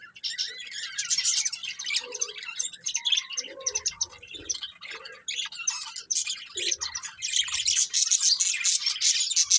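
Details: Chirping from a breeding pair of pet budgerigars: dense, scratchy warbling chatter made of rapid, irregular high chirps running almost without a break.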